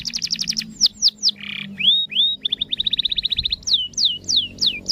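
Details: Canary singing a song used to get other canaries to sing along, opening with a rapid trill, then descending whistled sweeps, a short buzzy rasp, rising slurred notes, another quick roll and more downward swoops, high and clear above a low background hum.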